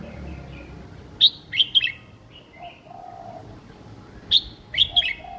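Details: Caged young red-whiskered bulbul with a simple, easy-to-copy song style: two quick clusters of loud, crisp chirped notes about three seconds apart, with brief lower whistles between them and a faint cooing behind.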